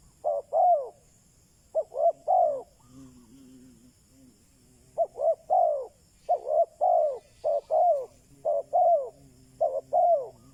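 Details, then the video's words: A decoy spotted dove coos to attract wild birds. After two opening phrases comes a soft low murmur, then a rapid, almost continuous run of paired short notes and longer falling coos. "Chim cu mồi chuẩn thúc bổi, kích bổi nhanh nổi/ Burung Terkukur"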